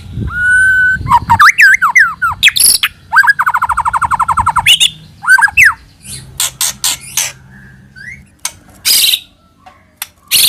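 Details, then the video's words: White-rumped shama song for luring: a held whistle, slurred notes and a quick repeated note train, then scattered sharp clicks and bursts amid quieter gaps. "Pikat Suara Burung Murai Batu"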